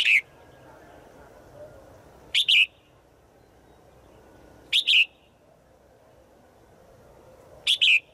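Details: Female bird in the forest calling to a male: short paired whistled chirps repeated roughly every two and a half seconds over a soft background hiss.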